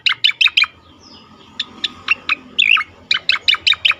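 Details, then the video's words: Cica koreng song meant as a lure and sound therapy for songbirds in training; quick series of sharp high chirps, a pause, then spaced single notes, a warbled twist and another fast chirp run. "suara merdu cica koreng cocok untuk pancingan dan terapi bunyi untuk burung bahan ombyokan"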